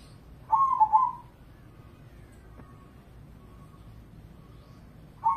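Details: Indonesian crossing zebra dove, a competition singer, utters one rolling, trilled coo; a long quiet gap follows with a faint steady tone, then the next phrase just begins at the end.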